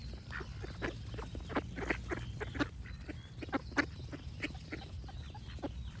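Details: Several ducks give a rapid stream of short nasal quacks, irregularly spaced, over distant birdsong and a constant low background hum.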